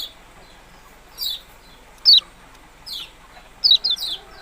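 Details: Yellow-bellied prinia giving sharp, high chirps that slide downward, single or in quick pairs, spaced irregularly about one second apart over a faint steady background hiss.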